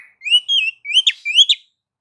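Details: Female Oriental magpie-robin singing to spur sluggish males: a quick run of rising whistled notes with sharp accented slurs, clear and loud.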